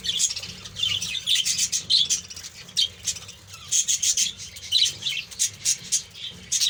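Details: Breeding colony of budgerigars: a dense, continuous chatter of many high chirps and warbles from birds calling over one another, with a steady low hum underneath.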